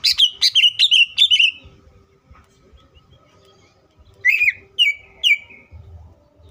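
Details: Green leafbird song used as a lure for other leafbirds: a burst of loud, sharp, downward-swept whistled notes in quick series, a quiet pause, then three more slurred whistles.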